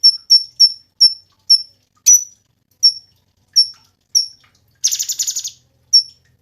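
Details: Cungkok master song: rapid, high, clipped whistled notes repeated at uneven intervals, with one dry rattling buzz near the end followed by further whistles.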